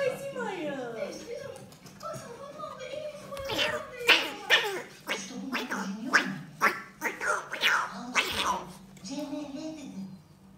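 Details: Pet cockatoo indoors, battling a person on a sofa: rapid bursts of harsh, raspy, broadband screeches and squawks, several per second, rising in intensity midway, with brief gargling grunts between them and a low room hum.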